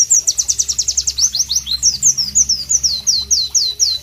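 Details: Loud, melodious White-eye (Pleci) song with tropical ambience: rapid high sharp notes, first steep downward strokes, then longer falling slurs, repeated several times a second without pause.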